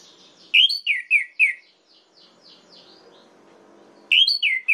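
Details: Orange-headed thrush song intended to provoke males: a burst of four loud slurred whistles, a faint echoing stretch, then another run of rapid falling whistles.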